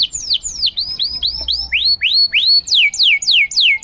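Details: ['Gacor canary singing for masteran use, baiting silent canaries to sing: loud clear whistled slurs, first falling, then rising in arcs, then sharply falling again, delivered in quick succession.']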